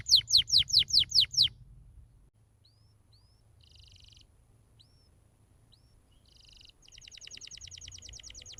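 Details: Master song for training young canaries, a canary singing a rapid run of loud descending whistled notes, then soft upslurred whistles, short buzzy trills, and a long fast rolling trill to the end.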